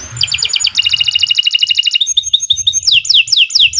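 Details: Domestic canary singing nonstop, recorded as a master for teaching other birds and stirring silent ones to sing. Fast rattling trills run at two pitches, shift into clipped notes, and turn into falling whistled sweeps.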